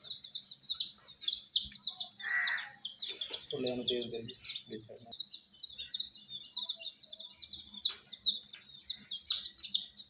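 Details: A crowd of chicks gives rapid high cheeps, sharply falling notes overlapping continuously, with a short rasping burst and a lower buzzing sound partway through.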